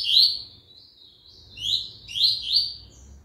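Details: Double-collared seedeater singing again after the moult: short bright whistled notes, some rising and slurred, in three or four separated bursts over about three seconds, with faint low background hum.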